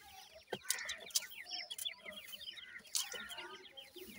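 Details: Several francolin chicks, known locally as teetar, peep continuously in quick, high, falling notes, with occasional loud taps and clicks mixed in.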